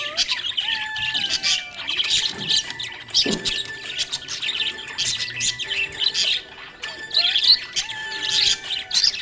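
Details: Happy budgie chirping: dense, scratchy warbles and quick chirps in bursts throughout, with sharper squeaky notes, over steady background music with held tones.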